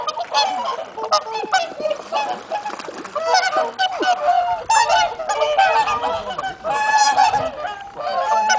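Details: A flock of swans honks steadily through a mild, sunny late-autumn day with no wind. Trumpeting calls overlap constantly, some rising and falling in pitch, creating a busy, unbroken clamour.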